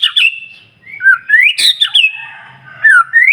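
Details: White-rumped shama song used to stir up other shamas: high whistles, swooping slurs and harsh scratchy notes in quick varied succession.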